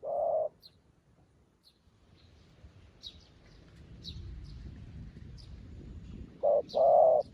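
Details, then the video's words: Trainee decoy dove set on the ground to call in wild doves for trapping; one low hollow coo, a pause filled with faint high chirps from other birds, then a short coo followed by a longer one. "ទ្រាំបង្ហាត់លលកថ្មី ឲ្យចុះដីរៀនហៅព្រៃ"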